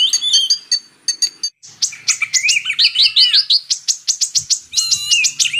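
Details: Kolibri ninja, the purple-throated sunbird, recorded as training material alongside Oriental magpie-robin: energetic high chattering, a quick run of repeated rising slurred notes, then sharp clicks and a wavering whistle, about three notes a second.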